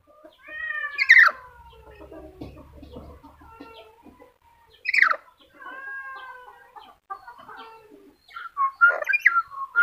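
A black-capped lory gives three loud, harsh screeches about four seconds apart, over softer tonal chatter and clucking from other birds nearby.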